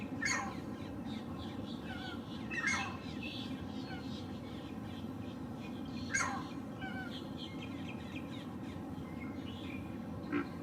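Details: A perching male green heron repeats a harsh, loud kyow-like call four times, spaced roughly two to four seconds apart, with quieter bird chatter and low steady rumble between; filmed on a Lumix GH6 with 300 mm lens.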